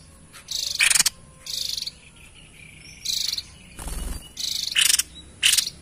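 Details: White-chested babbler in lively song for luring wild birds: buzzy, rasping phrases of varying length about every half second, with one dull low thump midway.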